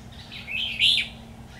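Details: A 'Mí lửa' red-whiskered bulbul sings fighting song at a bulbul trap on 13 October 2019: one loud, clear, warbled phrase of quickly rising and falling whistled notes, louder toward the end, over quiet background.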